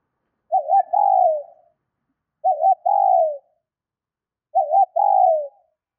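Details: Female spotted dove calling to stimulate males: a short wavering coo followed by a longer falling coo, phrase repeated three times about every two seconds in an otherwise silent background.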